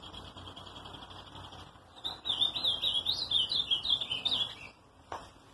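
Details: Faint hum at first, then an ultramarine grosbeak sings a bright, hurried warble of rising and falling whistles for under three seconds, followed by a single sharp click.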